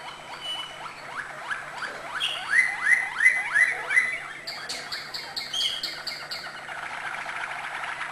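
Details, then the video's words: Malinois canary sings acute notes, a fast roll of rising slurred notes that grows louder, then shifts to a high, clipped, evenly spaced tour of bright notes. "malinois singing acute notes"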